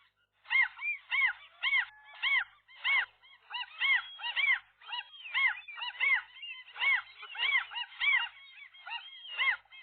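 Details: A nesting gull couple wrestles with a single gull trying to get between the male and female one morning; strong, regularly repeated arched yelping notes, nearly two per second, come in clear rhythmic bursts from several birds.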